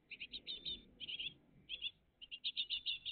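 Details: Great tits, a family at the nest, morning of 20 June 2023: short volleys of sharp, high-pitched chirps, four to six notes each, coming in three quick groups.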